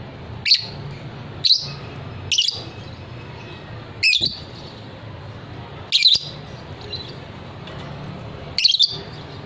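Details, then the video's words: Fighter lovebird, recorded as training material for singing birds: single sharp, high chirps repeated at uneven intervals of one to two seconds, some doubled, above a constant low hum. "suara lovebird paud figter"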